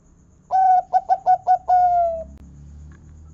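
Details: Local zebra dove, Indonesian big-"kung" style used to prompt other doves to sing: a mellow opening coo, four quick clipped coos in rhythm, then a drawn-out slowly falling coo.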